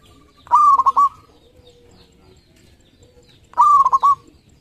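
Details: Zebra dove of a local Indonesian line singing strongly, a prize-winning bird. Two loud, identical phrases about three seconds apart, each a short upslurred note breaking into a rapid stuttered run of coos, with soft quiet notes trailing after.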